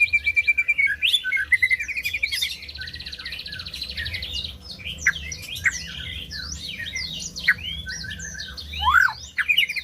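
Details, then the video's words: White-rumped shama song played to stimulate silent birds into singing: rich varied whistles, rapid rising and falling sweeps, a buzzy rattling trill near the start, and quick sharp chirps in a fast, constantly changing sequence. "SUARA MURAI BATU BUAT BURUNG MACET BUNYI"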